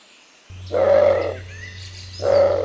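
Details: Bare-throated tiger heron, Costa Rica: two deep, harsh, grating roars over a steady low hum, with thin bird whistles between them.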